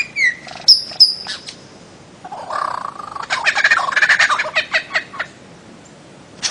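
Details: Bird-of-paradise call: a few thin high whistles, then a rolling, gobbling rattle of quick harsh notes fading out.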